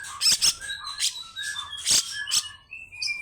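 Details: Grey-cheeked bulbul singing clear whistled notes at varied pitches, broken by a few loud harsh chips.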